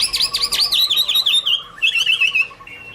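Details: Chinese hwamei (Garrulax canorus) singing: a loud run of rapid whistled notes sliding up and down, then steadier repeated phrases, clear and melodic.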